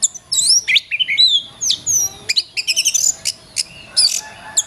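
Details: Masteran song by a kacer (Oriental magpie-robin) for songbird training: high twisting whistles and slurs, then clipped chip bursts, all very high-pitched over a constant faint hum.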